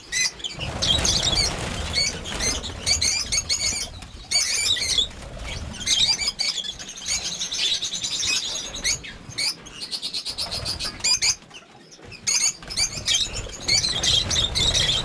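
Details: Lovebirds, more than fifty kept for breeding on a farm, keep up long stretches of shrill high-pitched chattering and chirping, with a few short gaps and rapid repeated tweets toward the end.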